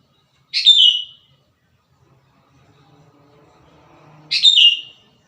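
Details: Wild sooty-headed bulbul in full song, giving two brief liquid whistled phrases roughly four seconds apart, each a quick falling flourish, with a faint low hum building between them.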